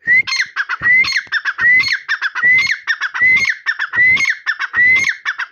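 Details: Partridge calling loudly in a fast repeated series: each phrase opens with a rising whistled note, then harsh, ringing squawks, recurring about every 0.8 seconds without pause.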